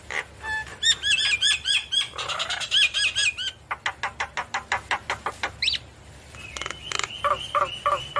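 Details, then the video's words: Head-nodding Javan myna singing vigorously to trigger lazy mynas to respond: looped whistled phrases and a rasping passage, followed by a steady train of sharp clicks and a closing set of ringing, falling whistles. "Jalak kebo Gacor Manggut Manggut Memancing Emosi Jalak Kebo Malas Bunyi Langsung Nyaut"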